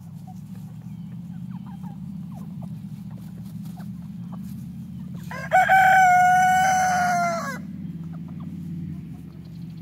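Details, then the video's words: F3 Olive Egger rooster ranging freely with a backyard flock gives a loud, two-second crow. The crow is a strongly harmonic, level call that ends abruptly. Quiet scratchy sounds and a steady low hum fill the surrounding seconds. "Olive Egger Rooster Crowing"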